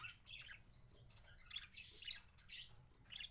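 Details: Two parakeets during feeding, January 26, 2017: about five bursts of shrill, buzzy squawks in close succession, each harsh and broad, separated by brief pauses, with faint low hum behind.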